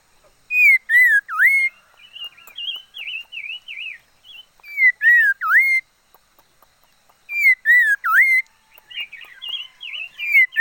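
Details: Red-faced liocichla kept as a decoy bird, singing: loud clear whistled phrases that dip sharply and rise again, three bursts about every three seconds, with softer wavering warbled notes between them.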